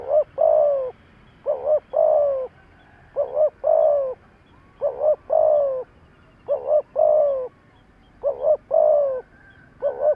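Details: Spotted dove used as a decoy, cooing to stir up wild doves: six regular low phrases, each a brief two-part flutter followed by a sustained mellow coo, repeated about every 1.6 seconds.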